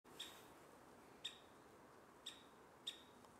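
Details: Japanese bush warbler giving its ground call (jinaki) on 6 March: four short, dry, sharp chips spaced about a second apart over a quiet, faint background.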